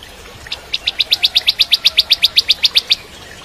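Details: Rapid rhythmic string of about eighteen high, clipped chips from a crystal-type bar-winged prinia, delivered at an even pace of about seven per second, used as training song for magpie-robins.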